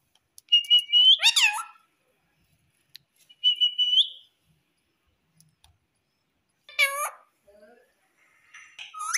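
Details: Pet talking parrot that says "Mummy": clear steady whistles, each ending in a downward-swooping harmonic squawk, then scattered clicks, a later bending squawk, softer chatter, and a final rising-and-falling call.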